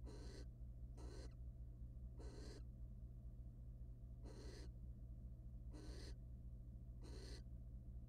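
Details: Male barn owl mating with and preening a female in a wild, camera-monitored nest box; six short noisy hisses arrive at uneven intervals, some close together, others with pauses, with background electrical hum.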